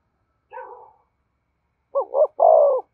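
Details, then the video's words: Spotted dove urging coo, used for exciting decoy birds and training lures: a faint, blurred coo followed by one clear phrase of two quick hoots and a longer, falling coo. "Tiếng cu gáy thúc gù dùng kích bổi và tập mồi hiệu quả và gáy sung mãn mỗi ngày"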